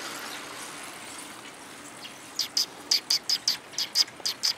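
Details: Sparrows arriving to be fed, 4 December 2021, on the way out: a run of about ten short, bright, high chirps in quick, uneven succession over the second half, with soft ambient noise underneath.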